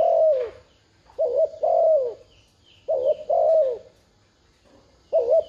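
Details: Spotted dove kept as a decoy to draw in wild doves, cooing in steady phrases of a brief warbled note and a longer sliding coo, with soft high chirping in the background.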